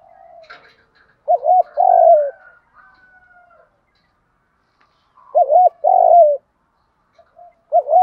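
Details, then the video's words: Spotted dove kept as a lure, calling in the 'thúc gù' voice: two phrases of a twin wavering hoot and long falling coo about four seconds apart, soft murmurs between, another hoot starting at the end. "tiếng chim cu gáy kích bổi. giọng thúc gù"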